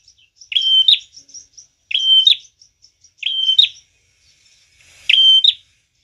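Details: Prinia, singing vigorously, a recording meant for luring and catching birds: a steady high whistled note ending in sharp clicking chips, repeated about every 1.4 seconds with quiet gaps between phrases.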